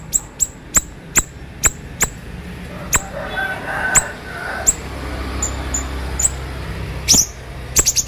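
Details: Konslet-style training song of a sharp-voiced siri-siri bird: a regular string of crisp high chips slowing to wider gaps, softer short notes, then a closing burst of rapid rattled chips.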